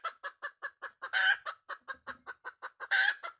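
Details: Wild red junglefowl hen: about fifteen crisp clucks spaced evenly, with two loud grating squawks breaking the rhythm.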